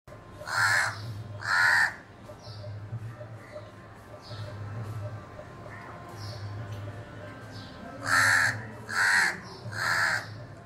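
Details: Crow calling at a house window: two loud, harsh caws about a second apart, a long pause with a low steady hum and faint chirps, then three more hoarse caws in quick succession.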